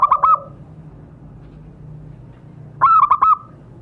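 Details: Zebra dove call used to provoke caged birds into calling: two short bursts of three or four quick, clipped coo notes, separated by a few seconds of low humming background.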